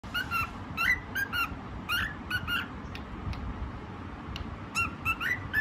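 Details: White pet cockatiel singing: short whistled notes with harmonics, given in quick bursts of two or three with small gaps between, over a steady low background hum.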